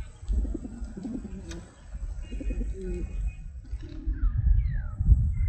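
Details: Pigeons cooing: a run of low, soft, throaty coo notes repeated in short groups through the first four seconds, then brief rising chirps from small birds near the end over a low rumble.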